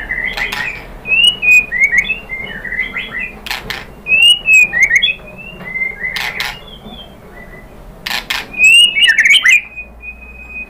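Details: Whistled song of a white-rumped shama, played as a lure to provoke a rival into answering: varied rising and falling whistles in quick phrases, broken by loud sharp clicks and brief harsh notes.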